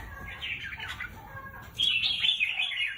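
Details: Caged red-whiskered bulbul, a contest songbird: a soft warble first, then a louder, clearer burst of bright, quickly modulated whistles in the second half.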